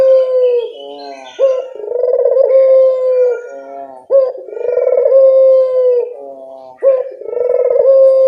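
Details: Local puter dove call used as a lure to draw answering birds: long rolling coos, each held about two seconds, with a rough purring quality, repeated back to back with brief breaks and no other sounds.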